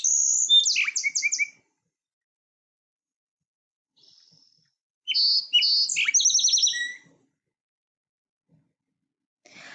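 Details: Song Sparrow, a very common species with much song variation: two songs, each a quick run of bright opening notes, a buzzy rapid stutter and a lower trill, separated by a few seconds of quiet.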